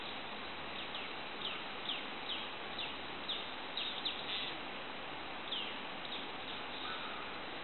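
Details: Golden-headed Manakin at Asa Wright Nature Center in January 2011, giving short, thin, downslurred notes every half second or so, high-pitched and faint against a steady wash of background hiss.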